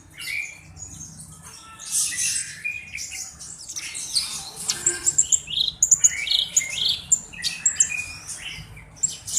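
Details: Black-browed reed warbler, kept as a tutor songbird, giving a softer, looser run of high squeaks, thin whistles and scratchy chips, with phrases growing louder and more clipped toward the end.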